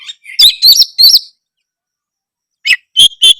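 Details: White-rumped shama, song to stir another shama into responding: three loud clicking, whistled bursts, a pause, then sharp high notes.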